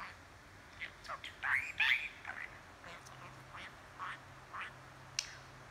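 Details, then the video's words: Budgerigar kept as a pet, softly chattering in a handheld recording: quieter scattered chirps and small rising squeaks, a louder warbled pair near two seconds, low background hum. "Budgie talking & chattering"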